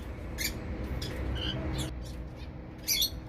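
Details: Tame zebra finches in a mixed balcony aviary in Dubai: a few sparse, short nasal beeps and chirps separated by pauses, over a steady low hum.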